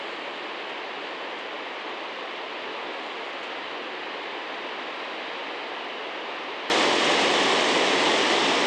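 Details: Constant hiss of rushing water or wind noise in New Zealand that jumps abruptly louder near the end, with no animal voices.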